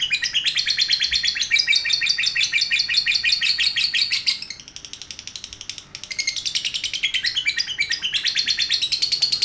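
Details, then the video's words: Ngekek song of a lovebird: an unbroken stream of rapid, harsh, high-pitched notes, roughly three per second, dipping briefly softer in the middle before surging back at full strength. "Cek - cek cer Lovebird langsung ngekek"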